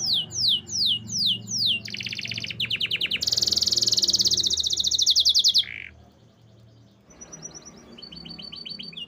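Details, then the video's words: Canary singing: repeated falling slurred notes, then long buzzy rapid trills, fading into softer distant twittering over a low background rumble. "Natural Sound of Forest Birds Chirping || Canaries"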